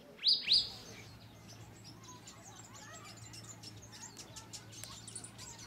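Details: A White-browed Robin-chat (Cossypha h. heuglini) in Gisenyi, Rwanda, in March 2013 gives two quick, high, clear notes in quick succession, then falls silent against a soft, faint background hum.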